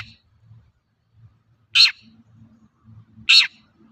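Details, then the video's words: Two grating, rasping notes of a long-tailed shrike, about one and a half seconds apart, meant as a lure to stir raw shrikes into singing; soft low murmuring fills the gaps. "Suara burung cendet gacor untuk pancingan cendet bahan"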